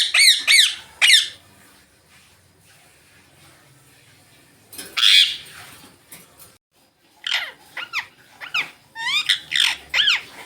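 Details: Green Indian ringneck parakeets sitting in sunlight, chirping: bursts of sharp, high squeaky notes with quick rising and falling sweeps, in short groups separated by quiet gaps.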